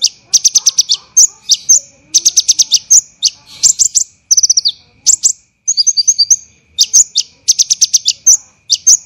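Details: Olive-backed sunbird (kolibri ninja) training song for songbirds, described as tight and rough: tight clusters of sharp high chirps, buzzy rattling trills and falling notes repeated without pause.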